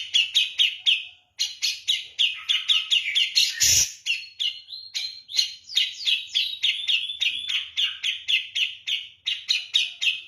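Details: Javan grey-cheeked bulbul in energetic, persistent song likened to 'kapas tembak': a rapid, almost continuous chain of harsh, buzzy chattering notes, about four per second, with one brief sharp knock partway through.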